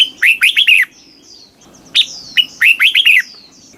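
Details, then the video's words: Two lively song phrases from a red-whiskered bulbul in Thailand, southern master-song style, meant to rouse caged birds: each is a fast string of four or five clear, bouncing whistles, separated by a second of near silence. "เสียงนกกรงหัวจุก ร้อง ริก เปิดให้นกฟัง ยั่วให้นกคึกจัด chao mao hot, chào mào hót"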